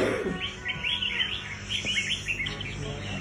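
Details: At a fighting contest, a red-whiskered bulbul pours out rapid, high chirping and warbling notes in tight bursts, with a low background hum and faint voices.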